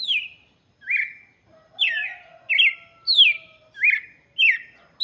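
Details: Red-cowled cardinal singing for chicks: clear, slurred whistled phrases that drop sharply in pitch, about seven in five seconds, with a faint steady hum underneath.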